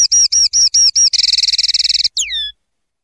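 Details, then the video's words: A common linnet (Carduelis cannabina) sings a quick twittering phrase: five high, down-slurred notes, then a fast buzzy trill and a final falling whistle. "Canto Pardillo"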